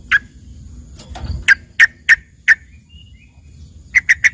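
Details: Trucukan, the yellow-vented bulbul, giving filler song for green leafbirds: single sharp chirps spaced about half a second apart, then a quick trio, over a faint background hiss.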